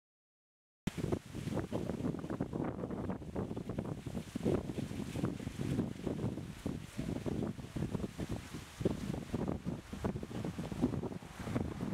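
Only wind buffeting the microphone is heard, with a steady low rumble and no animal voices.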